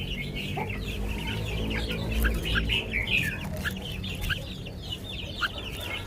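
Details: Caged red-whiskered bulbul singing the sweet 'lak wai' song style: a busy run of short, bright warbled notes, about two to three each second, some rising chirps and slurs, over a constant low rumbling hum.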